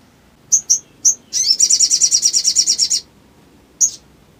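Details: Crimson sunbird, used to provoke other birds to sing; three high chips, a rapid shimmering high trill of roughly fifteen pulses over one and a half seconds, then one final chip.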